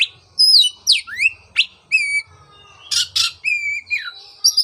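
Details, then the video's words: Oriental magpie-robin singing, used as a lure to restart singing in a bird silent after moulting: loud, clear whistled notes sliding up and down, mixed with short harsh rasping bursts, given in quick separate phrases with brief pauses. "pancingan suara untuk terapi burung kacer"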